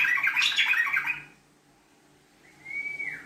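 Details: Sooty-headed bulbul (trucuk) singing a long 'ngekek' chatter used as a lure: a dense, bubbling burst of rapid notes for about a second, then silence and a single clear rising-falling whistle near the end.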